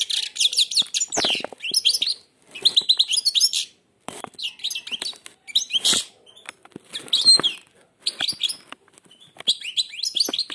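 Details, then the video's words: A blind European goldfinch sings with its beak nearly shut, giving a long run of fast, bright twittering phrases and jangling trills in repeated bursts with brief gaps between them. "تغريد_الحسون أعمى سبحان الله يغرد ومنقاره شبه مغلوق"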